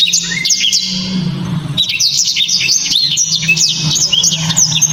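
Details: Blacktrod delivering its hard, close-packed song, popular among Indonesian bird-song hobbyists; continuous high twittering with sharp slurred whistles and brief chips, a short lull near the second, and a steady low hum in the background.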